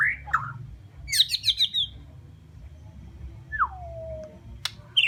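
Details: Bornean white-rumped shama song: a fluting whistled opening, a fast burst of buzzy trilled notes, then a long clear whistle sliding downward, with a low background hum.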